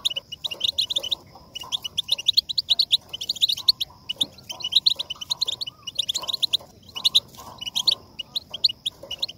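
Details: Goldfinch singing continuously, meant to spur caged goldfinches into song: dense, fast chattering twitters in repeated bursts, bright and high-pitched, with brief gaps between phrases and a soft lower murmur in the background.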